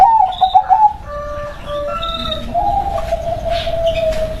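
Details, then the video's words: Local zebra dove giving a series of soft level coos and a longer trilled phrase, while another bird adds thin high chirps in the background. "SUARA PERKUTUT LOKAL BERKODAM"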